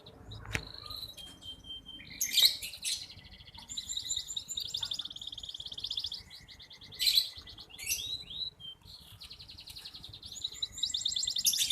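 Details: Local red canary, a keen singer used to train young birds: bursts of fast high trills and buzzy rolls broken by brief pauses, with a few sharp clicks.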